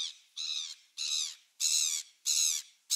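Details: Gulls on 27 December 2017: a run of loud, rasping squawks, each lasting about half a second, repeated at a fairly even pace and growing louder toward the end.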